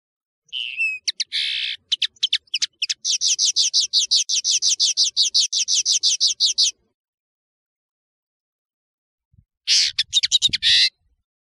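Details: European serin, known as nino in Algeria and camacho in Morocco, singing for a tutoring tape: a long, fast, buzzy jingle of rapid high notes for about six seconds, then a pause and a shorter burst. No other sounds.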